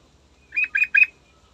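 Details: Yellow-vented bulbul singing in the morning as a lure for other birds: three quick, bubbly, slightly buzzy notes in rapid succession over a faint low hum.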